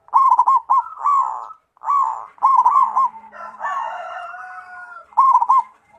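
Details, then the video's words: Local zebra dove singing loud rolling coos, short bursts of quavering, burbling notes repeated in phrases separated by brief pauses, with a longer mellow drawn-out passage in the middle and a low steady hum underneath. "suara perkutut lokal"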